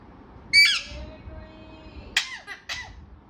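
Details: Pet talking parrot with one loud, harsh squawk, a long faint level tone, then a rasping burst followed by two shorter wavering calls.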